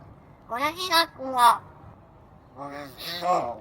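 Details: Pet common hill myna (Gracula religiosa) sunbathing under a blue winter sky in early March, talking back at chattering small birds, in two bursts of clear, human-like syllables, a few quick words, then a pause and a second phrase.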